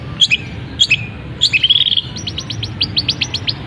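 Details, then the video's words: Caged long-tailed shrike singing a mimicked medley that includes canary-like phrases and imitations of other birds: short whistled notes, a level trill, then a rapid run of sharp descending chirps. "Cendet Gacor Isian Kenari, gereja tarung, kapas tembak"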